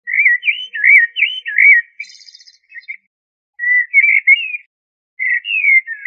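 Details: Common blackbird (Turdus merula) singing: a quick run of mellow, fluty warbled notes near the same pitch, a faint thin twitter, then two shorter whistled phrases after pauses.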